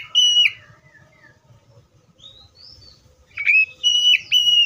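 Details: Oriental magpie-robin singing clear whistled notes: a bright opening phrase with a falling slur, softer trailing notes, then a run of loud, sustained, level whistles with quick breaks, over faint low background rumble.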